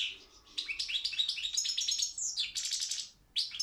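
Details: Competition goldfinch of the Balkan form Carduelis carduelis balcanica in song; quick run of high chattering notes and liquid twitters, rising and falling, ending in a brief pause and a final short chirp.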